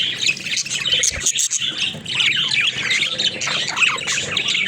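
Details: Cage of playing budgerigars producing harsh squawks mixed with rapid high chirps and warbling chatter, several birds calling over one another.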